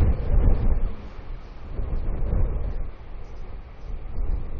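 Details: Heavy wind buffeting the microphone, producing loud low rumbling that rises and falls, with no animal calls.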